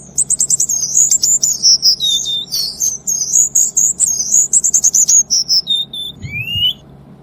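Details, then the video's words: Cuban bullfinch pouring out dense song: fast stuttering high chirps and trills, mid-pitched whistled notes, ending in a rising slurred whistle, with steady low hum in the background. "MASTERAN BURUNG BULL FINCH KUBA TEMBAKAN RAPAT"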